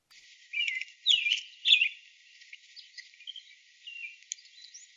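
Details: American Robin song of the kind heard early in the morning: a few rich, rolling whistled phrases, three clear ones in the first two seconds, then softer, thinner warbles trailing off.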